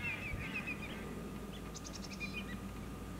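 Greater yellowlegs calling in a flock: clear, slightly falling whistled notes in quick runs, with some thinner, higher notes. A steady low rumble of wind or distant traffic sits underneath.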